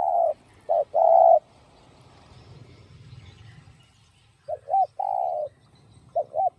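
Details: Spotted dove cooing in the 'giọng đồng' voice, used to stimulate and lure other doves: two full phrases of short hoots and a long sustained coo, with a third phrase beginning at the end and faint low background rumble.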